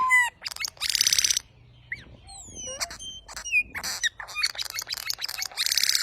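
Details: Loud calling bird giving a varied series of sharp squawks, whistled sliding notes and buzzy harsh bursts, separated by short pauses; music plays in the background.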